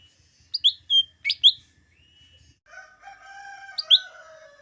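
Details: Lesser green leafbird (cucak ijo mini) heard as a rousing call for green leafbirds before contests: four loud, sharp chirps, a thin rising whistle, then layered sustained whistled tones and one more bright chirp.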